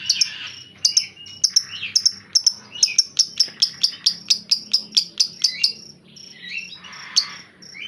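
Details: Master white-rumped shama grumbling rather than singing: a rapid series of sharp, high, clicking ticks about three per second, mixed with short buzzy, harsh chattering notes.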